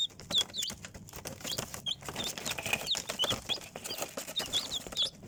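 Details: Chicks peeping: thin high descending peeps scattered through the clip over a background of scratching, rustling and shuffling noises.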